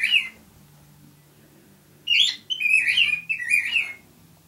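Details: Indoor pet male cockatiel song: one brief whistle, a quiet gap with low hum, then a rapid series of four warbled whistled notes dropping slightly in pitch.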